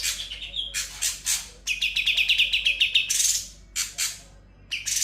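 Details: Sooty-headed bulbul singing steadily, song filled with konin, kapas tembak and kunti mimicry: a fast run of about ten sharp repeated chirps between harsh raspy bursts and brief whistles.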